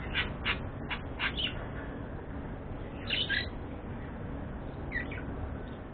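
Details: Budgerigar (Melopsittacus undulatus) giving quick, scratchy chirps in short bursts over a steady background hiss.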